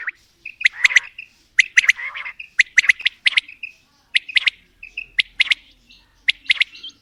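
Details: Quail, female and male calling together, mixed calls. Short sharp notes come in quick clusters of two or three, roughly once a second, with a brief whistled tone between clusters. The background is otherwise quiet.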